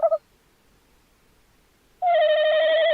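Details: Tawny owl on 11 January 2026: a short clipped note opens, silence follows, then a sustained quavering hoot starts abruptly and keeps wavering steadily.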